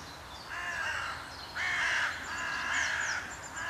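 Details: Carrion crows at Voßmoor, mid-April 2023, in uproar over an unseen disturbance, maybe a kite: rough, drawn-out cawing, with one louder, harsher caw in the middle, and small birds chirping faintly throughout.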